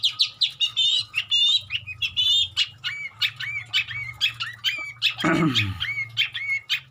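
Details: Long-tailed shrike in full song stuffed with imitations of many birds, a dense jumble of whistled, upslurred and chattering notes, with a brief low flapping or rustling sound midway.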